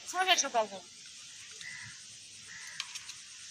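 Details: Talking myna bird at play in a garden: a rapid burst of several chattering, speech-like harmonic syllables in under a second, then quieter whistles amid a steady high background buzz.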